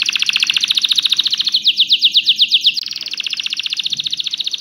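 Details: Canary song aimed at encouraging males to sing and getting females ready to breed; fast bright trills, a slower run of slurred notes, then another rapid buzzy trill.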